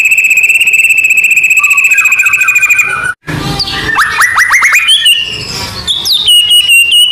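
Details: Medan white-rumped shama singing loudly as a lure for other birds: a long steady pulsed whistled trill, a brief break, then a fast series of rising slurred notes and high whistles.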